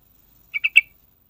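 Yellow-vented bulbul giving three quick, bubbly, liquid notes in under half a second, mid-pitched and slightly rising at the end; otherwise quiet.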